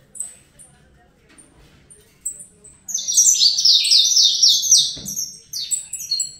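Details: A few scattered thin chips, then a young caged Saffron finch launches into Fibra-style song, a loud tumbling series of quick downward-sweeping high notes lasting several seconds.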